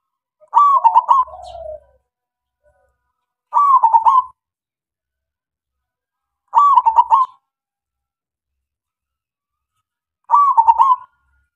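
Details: Lure song of a local zebra dove, meant to prompt quiet doves to answer. Four clear, stuttering coo phrases are spaced about three seconds apart, and the first trails into a lower, falling coo.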